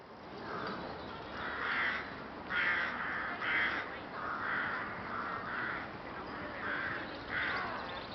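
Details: A flock of rooks calling in Boscawen Park, Truro, Cornwall, on 8 January: harsh, hoarse caws repeated about once a second in overlapping bursts, with a constant noisy background.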